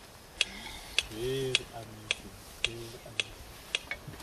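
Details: Red-crested korhaan (red-crested bustard) gives sharp, dry clicks repeating about twice a second like a ticking clock in a steady series, with low voiced or tonal sounds overlapping in between.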